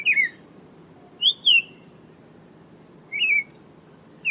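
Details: Tempera-viola, a buff-throated saltator, singing brief fluty phrases: a falling slur, a paired high whistle, then a lower trill-like note, over a persistent high-pitched hum.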